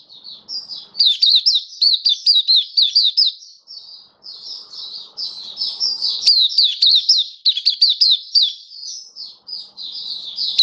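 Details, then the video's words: Oriental white-eye, a kept hobby bird recorded on 27 October 2022, sings a rapid, high, twittering song of quick down-slurred chirps in dense bursts with brief pauses, broken by short sustained whistles; faint low rustling in places. "Mata Puteh Kitaro Buka Sing"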